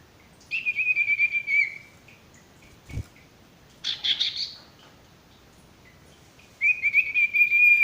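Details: Male sirtu used as a training song for young or stressed birds that stop singing: long steady high whistles with fine trills, broken by a brief burst of chirps, then the whistling returns.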